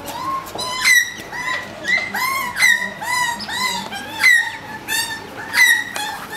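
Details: Two male magpies brawling over territory in a back garden during breeding season, a long-resident male fending off a young rival while the female runs around them; harsh, ringing calls with a falling tone, repeated roughly every second.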